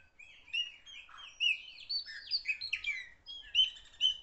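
Common blackbird song: a quick, unbroken run of high twittering and squeaky warbled notes over a quiet background.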